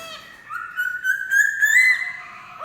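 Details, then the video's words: Black-throated laughingthrush giving one long, clear whistle that rises slowly, then jumps up into a brighter note before fading with a low slide at the end. "Khướu bạc má hót hay!"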